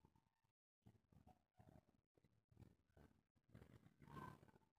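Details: Local spotted dove of the "kuk 3" type, used as a lure to make other doves sing: low, hollow coos in quick repeated bursts with a soft rolling rhythm and little background noise.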